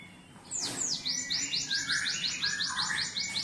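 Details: Captive cinereous tit tutored with canary song opens with a sharp descending sweep, then a rapid, even trill of high upslurred notes over softer lower warbles. Faint background music is audible.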